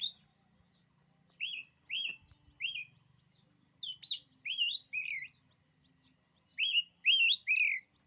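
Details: Oriental magpie-robin song: clear whistled notes repeated in short bursts, some doubled, with brief gaps between groups.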